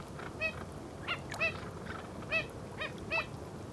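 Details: Little blue heron (Egretta caerulea) in Santa Catarina, Brazil, giving short nasal, honking notes rich in overtones, about six calls spaced irregularly over four seconds against a steady background hiss.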